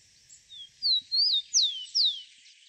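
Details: A wild rufous-collared sparrow sings a short phrase of about five high, clear whistled notes, each slurring downward, over roughly two seconds, with faint low background noise.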